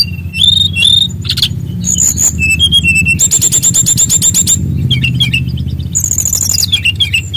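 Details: Loud Bali-type brown-chested jungle flycatcher song with varied fill-in phrases: clear whistles, a dense high rattling trill, then descending whistled notes, all over a strong low background hum.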